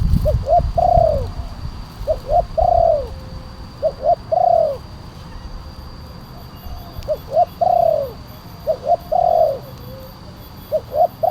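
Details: Spotted dove call used as a lure to bring wild doves down and as a master tutor, a loud 'kuk 1' voice: mellow coo phrases of two short notes then a longer falling coo, repeated about every two seconds, with low rumble beneath.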